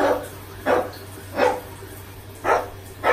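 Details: Pet macaw mimicking a dog's bark, learned from dogs barking at it during flights in the park and let out while showering: four hoarse, dog-like barks, roughly one per second, over a faint steady hum.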